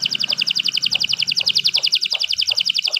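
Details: Canary delivering a steady, very regular trill of high doubled notes repeated about four times a second throughout.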